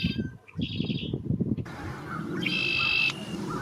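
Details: Red-winged Blackbird song, a species common in the US whose song signals spring and the breeding season: a brief high note, then a harsh, buzzy trill of about half a second, over a spoken voice and soft music.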